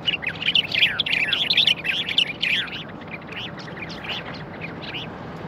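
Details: A common bulbul in Morocco, recorded in 2020, gives a rapid, bright run of warbled and chattering notes, loud for three seconds, then softer and more spaced, over a faint low hum.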